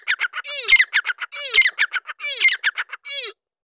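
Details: Excited grey francolin, a Deccani teetar, giving loud harsh calls: three repeated phrases, each a grating squawked series of rapid notes with one descending whistled note, roughly one phrase a second. The background is otherwise quiet.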